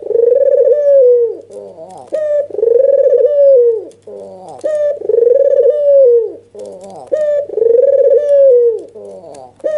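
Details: Agitated albino dove with red eyes, nodding as it calls to lure rivals into answering; deep rolling coos, each about a second and a half long, repeat roughly every two and a half seconds, with short lower notes between them.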